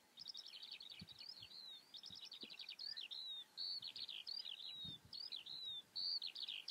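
A Eurasian skylark pours out a continuous, high, rapid warble of chirps, trills and slurred whistles with no pauses. A few low thumps sound underneath.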